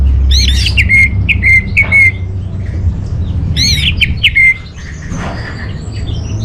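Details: Orange-headed thrush song for luring and tutoring caged birds: repeated clear whistled notes, each with a brief rough lead-in, given in two bursts separated by a pause, over a low background hum.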